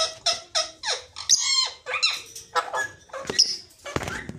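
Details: Talking rose-ringed parakeet, a pet ringneck, producing a rapid run of short, varied, speech-like chattering syllables, some rising and falling in pitch, about three per second, with a brief scraping noise near the end.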